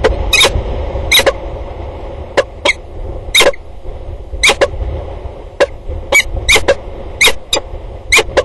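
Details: A pair of peregrine falcons calling back and forth at a water tower in Axel, 2 October 2019. Sharp, scratchy single and paired notes come in uneven clusters against a constant low hum.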